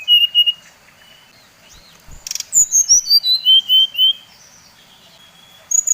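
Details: Lure song of a brown-chested jungle flycatcher (Bali type) that makes others of its kind excited: short whistles, then a clear descending cascade of about eight pure notes, and a high whistle at the close.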